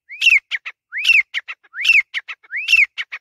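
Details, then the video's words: Grey francolin in Pakistan repeating a rhythmic phrase roughly every 0.85 seconds: a loud rising-then-falling whistle followed by two short harsh notes. "Teetar ki awaz | Grey Francolin Voice | Teetar ki ladai | Teetar ki Boli"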